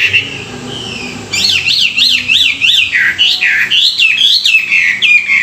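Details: Morning song training of a caged Chinese hwamei: after a soft whistle, a loud fast series of looping, rising-and-falling whistled notes repeated about three times a second, continuing in varied swoops.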